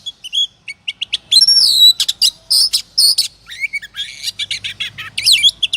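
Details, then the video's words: Oriental magpie-robin singing 'ngobra' style as a lure to provoke singing: scattered high chirps open into loud, clear whistled phrases with swooping notes, then a busier mix of rapid trills and chattering notes. "Pancingan suara kacer ngobra,,pasti emosi dan gacornya terpancing.."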